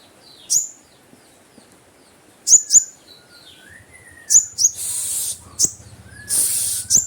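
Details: Kept konin (kolibri ninja) sunbird in full voice, calling to lure a rival: sharp, very high upswept double notes in spaced bursts, with brief rushing noise bursts near the end.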